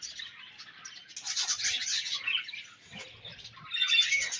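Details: Several budgerigars chatter while eating their favourite food, giving harsh, buzzy warbling bursts that swell, fade and rise again, with faint low knocks between.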